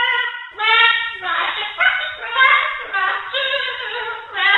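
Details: A pet cockatoo yelling at night and keeping its owner awake gives a run of hoarse, harmonic, speech-like squawks in quick bursts of about half a second each, with hardly a pause throughout.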